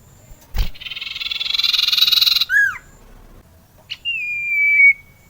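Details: Common iora song used to coax rarely singing birds: a long buzzy rattling trill, two quick downslurred notes, then a sustained high whistle gently falling in pitch, with short pauses between phrases.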